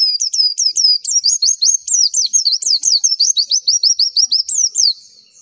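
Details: Lively, unbroken chatter of high, zigzagging chirps from a pleci, the Javan white-eye, played as a master recording to draw replies, notes coming roughly four or five per second.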